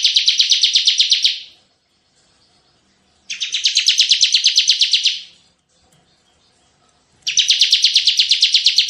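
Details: Vigorous tembakan song of a Bar-winged prinia for luring and tutoring birds: three dense, high-pitched rattling trills of quickly repeated notes, each nearly two seconds long, split by quiet pauses of about two seconds.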